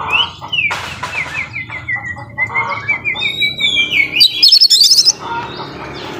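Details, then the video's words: Oriental magpie-robin singing a long series of short whistled notes that step slowly downward, followed by a bright rattling trill and scattered high chirps. "Kacer Nembak Full Isian Cocok Buat Pancingan Kacer Yang Lagi Males Bunyi"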